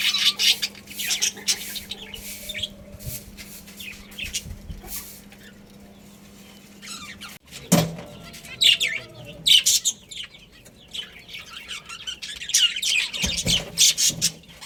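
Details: A pet budgerigar colony twitters in bursts of high chirps, with a quiet spell in the middle broken by a loud knock, then livelier chattering returns.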